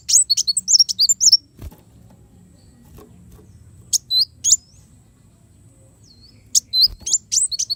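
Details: A brown-throated sunbird, called kolibri wulung, sings for a master training recording: fast high chirping opens, a knock and long lull follow, then short clusters of shrill, slurred notes return.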